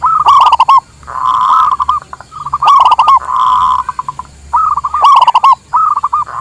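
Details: Zebra dove of the local Indonesian type, recorded as a lure and master song: repeated phrases that begin with quick rattling taps, then run into a sustained, steady coo, with several cycles and a low constant hum underneath.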